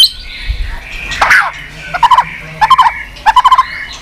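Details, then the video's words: White-rumped shama giving short clusters of low, mellow notes, three to four quick notes per burst, bursts spaced about half a second apart, over faint background hiss. "Chòe lửa tạch liên tục"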